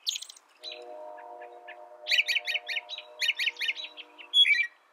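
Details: American robin, opening with a high thin note, then a rapid string of short warbled phrases over a steady low humming drone that fades out near the end before a final loud slurred note.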